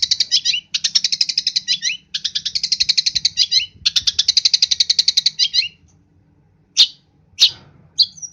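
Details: Long-tailed shrike from East Java singing busily, full of varied filler phrases: long runs of fast buzzy, rattling notes in quick bursts, then a pause and a few sharp separate high chips near the end.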